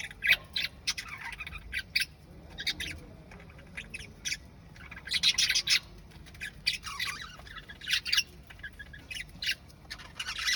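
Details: Parrot singing: a busy run of harsh squawks and chirpy notes in bursts, with short pauses between the louder phrases.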